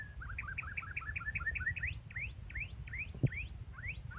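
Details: Aggressive white-rumped shama singing: a quick series of short paired whistled notes, then loud sweeping upslurred whistles repeated about every half second, over steady low rumbling background noise with one brief knock.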